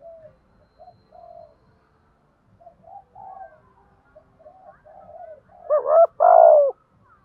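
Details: Spotted dove calling to lure and challenge wild doves to fight: a series of quiet, breathy coos builds to a loud, hooked coo phrase near the end.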